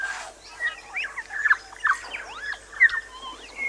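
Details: New Zealand bellbird from Little Barrier Island delivering a quick series of slurred, chiming whistles and short downward-swooping notes, ending on a bright ringing note, over soft background hiss.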